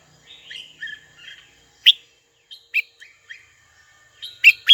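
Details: Rival-calling song of a red-whiskered bulbul: soft, fluttering whistled phrases broken by sharp, loud single chirps about a second apart, finishing with a strong double chirp.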